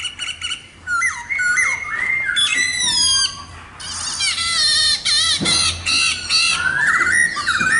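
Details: Khướu mun laughingthrush in full song: a lively mix of rising whistles, fast rapid-fire trills and harsh squawky bursts delivered in quick succession, with a steady low background hum.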